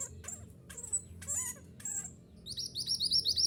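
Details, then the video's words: Mantenan gunung song played as therapy for caged birds: scattered high thin chirps and short twittering notes, ending in a rapid run of sharp, quickly repeated chirps, over a low background hum. "Terapi Suara Mantenan Gunung Agar Cepat Gacor"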